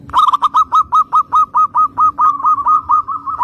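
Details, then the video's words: Zebra dove in full song, used to prompt young doves to sing: a fast, even series of staccato cooing notes, about two per second, each with a slight downward hook, over a low steady hum. "PERKUTUT GACOR syahdu buat Kelangenan Pancingan Perkutut Bahan"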